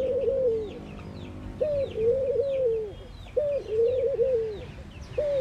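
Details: Mourning doves cooing: low, soft, hollow coos with a brief rising opening note and drawn-out falling notes, in phrases about every one and a half to two seconds, while faint high chirps of other birds sound in the background.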